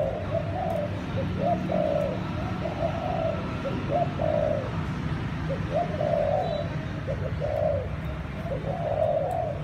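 A dove gives soft, low, rolling coos in short repeated phrases.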